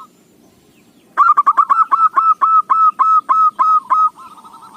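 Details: Local zebra dove with a song suited for luring: quiet at first, then about a dozen loud, clipped cooing notes in brisk succession, closing with a soft, wavering coo.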